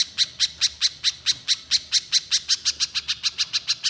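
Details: Rapid high chipping from a little spiderhunter in lively nembak style, about twenty sharp notes in four seconds, quickening slightly near the close.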